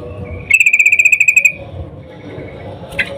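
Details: Breeding-condition female yellow-vented bulbul calling a male: faint thin whistle leading into a rapid ringing trill of about twelve even notes, then a soft drawn whistle and a final chirp.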